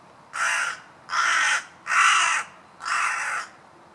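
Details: A crow gives four loud, rasping caws in steady succession, each lasting about half a second and spaced under a second apart, over a low hiss of background noise.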